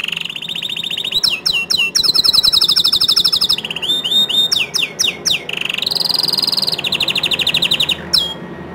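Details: Atlantic canary song meant to stir other canaries to join in: a loud, unbroken chain of high trills, sweeping chip notes and rapid rolling tours, changing pattern every second, ending on a short high whistle.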